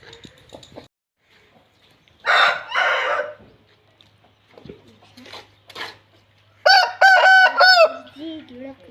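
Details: An Aseel rooster crowing while held in its owner's hands gives a loud, harmonic crow broken into several strained, stepped notes.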